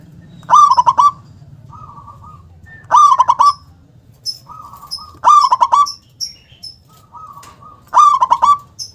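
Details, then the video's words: Big-voiced local zebra dove in full song, phrases with a punchy 'KUNG' accent: four loud rattling coo bursts each ending in a held note, answered between them by softer, more distant dove phrases. "perkutut lokal gacor suara besar nyentak KUNG power kencang"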